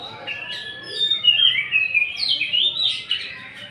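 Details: Greater green leafbird singing as a lure to provoke other birds: a rising series of slurred whistles and twittering notes, loudest in the middle, with a quiet indoor background.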